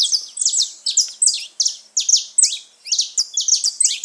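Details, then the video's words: Saffron finch, canário-da-terra, free in nature, delivering a steady run of loud, high chirps that slur downward, in short clusters repeated roughly every half second. "festa dos canário da terra livre na natureza"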